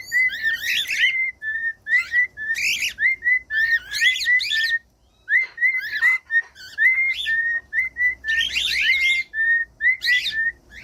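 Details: Whistled cockatiel song for training a pet bird to sing: short clear whistles on one level pitch, repeated rapidly in runs and broken by loud bursts of harsh, ringing chatter.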